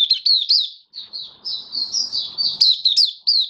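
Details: Deworm-treated kept white-eye on health supplements singing open song (buka sing), 18 May 2022; a few high chirps, a brief gap, then a smooth rising-falling twitter and sharp closing notes.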